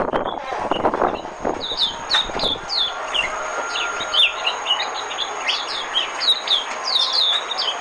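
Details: Oriental white-eye decoy song: a long run of rapid, high twittering notes, each falling in pitch, tumbling on continuously after some low knocking sounds at the start.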